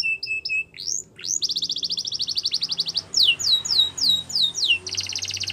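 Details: Training song for canaries: a few clipped notes and a rising sweep lead into a long rapid trill, then a string of down-sweeping whistles about three per second, ending in another quick trill.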